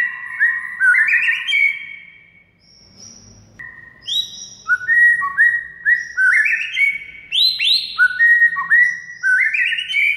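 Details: White-rumped shama song for training silent birds to sing: about ten seconds of varied loud whistles, stepped rising phrases, a short break with faint low background noise, then a dense string of high, upslurred whistled notes.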